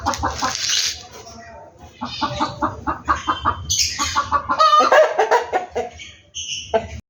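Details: Rooster pair clucking busily: rhythmic, throaty cluck notes repeated about three per second, rising into denser excited squawking, with a faint human voice in the background.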